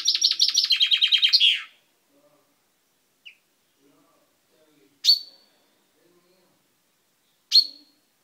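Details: A pet chaffinch sings on 10/05/12, beak recently purple: a quick rattling trill falling in pitch with a closing flourish, then a soft note and two sharp, loud chirps about two seconds apart.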